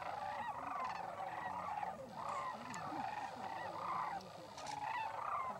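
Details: A very large flock of sandhill cranes passing through in late January, as they do yearly, gives rolling, trumpeting, rattled calls overlapping into a continuous chorus.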